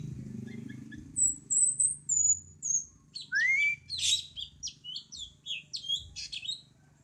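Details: Tutor recording of a cucak cungkok bulbul: thin high whistles first, then a quick run of sharp, scratchy chirps and short upward-slurred notes of varied pitch, with a low hum underneath.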